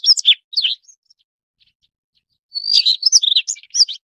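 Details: Phoenicurus auroreus, the Daurian redstart, with a few sharp chirps followed after a pause by a busy, jumbled phrase of high whistles and scratchy notes lasting about one and a half seconds; otherwise silent.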